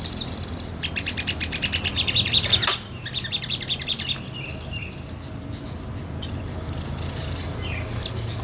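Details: Sunbird song used as training material for other songbirds, recorded for real: rapid high trills of repeated notes with pauses between bursts, some lower twittering and a faint low background hum.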